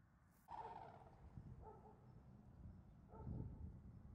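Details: Red-crowned crane family on the tidal flats of Ganghwa Island: three short harmonic honking calls, the first loudest, spaced about a second apart, over steady low rumbling background noise.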